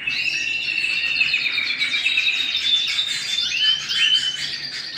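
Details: Canary singing at home, loud continuous warbling of rapid chirps and fluttering trills, clear whistled notes gliding up near the end, no pauses.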